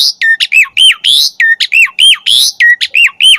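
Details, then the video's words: Asian pied starling singing for pet-bird training: a looping phrase of a high squeak dropping into a whistled hook, repeated almost once per second, punctuated by harsh rasping squawks. "Suara Jalak Suren Gacor Full Variasi"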